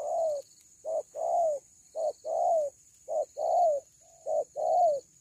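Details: Loud cuckoo call, locally called kuku: repeated two-part hoots, a clipped first note and a drawn-out falling second note, about one pair a second and evenly spaced.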